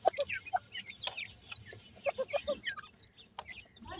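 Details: Feeding partridge chicks: a run of short clucking notes repeated about every quarter second, then overlapping high peeps, with sharp tapping clicks.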